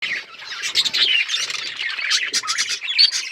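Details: Budgerigars chirping during breeding, a dense continuous warble of overlapping high chirps, squeaks and short whistled notes from several birds, with brief louder bursts near the end.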